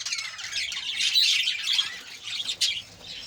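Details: Budgerigars kept as a colony, many voices overlapping in busy, warbling chatter with rapid chirps and harsh notes, a sharp click near the end.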